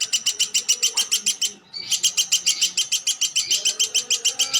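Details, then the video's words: Woodpecker known locally as platuk sampit, calling in a rapid, regular series of bright, ringing notes, roughly three or four per second. The series breaks briefly and then continues steadily over faint background murmur. "Burung Platuk Sampit"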